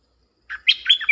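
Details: Bulbul lure call for attracting wild birds: one short, bright phrase of a few liquid, chirping notes that climb in pitch, rising out of silence.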